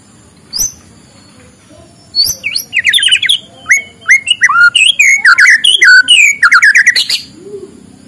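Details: Rich, varied morning song of a white-rumped shama used to spur lazy birds into singing: loud whistles and rapid chattering notes, swooping up and down without a break for several seconds after a single opening whistle.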